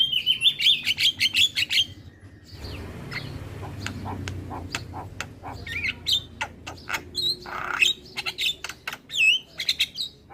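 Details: Javan myna song meant to provoke replies from other starlings: a quick run of bright warbled whistles, a short pause with low background noise, then scattered harsh clicks and sharp upslurred whistles.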